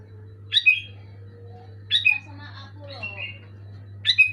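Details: Sooty-headed bulbul, kept as a pet bird, sings loud bright phrases: short sharp whistled bursts around every one and a half seconds, with a softer chattering run between them and a low steady hum underneath.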